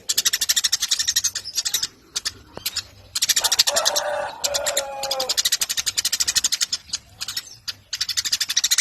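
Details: Eurasian tree sparrow in a lively master recording for training contest songbirds: fast streams of high, dry chirps in long runs, with a lower, harsher warbling phrase in the middle for about two seconds.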